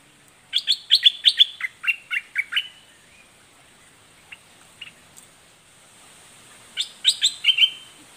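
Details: Fierce doubled-note song of a red-whiskered bulbul in the southern 'dok taeng' style. A fast burst of crisp, sharp chirps slides lower, then scattered soft notes follow, then another lively burst near the end.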